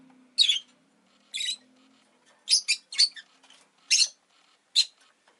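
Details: Pet rosy-faced lovebird, kept indoors on the day an egg was laid, giving harsh, shrill chirps in short bursts spaced about a second apart; faint low hum beneath, with street noise possible.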